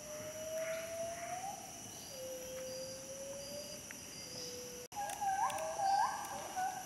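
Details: Gould's frogmouth, a night bird of lowland forest: drawn-out level whistles that step slowly lower, then after a short gap several brighter, upturned notes with overtones, set against constant high insect buzzing.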